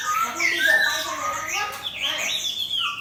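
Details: Caged Chinese hwamei matched against a fighting bird placed alongside, its tail spread wide; mixed whistled slurs and rapid chattering phrases, fluid and continuous, with a sharp high note in the middle.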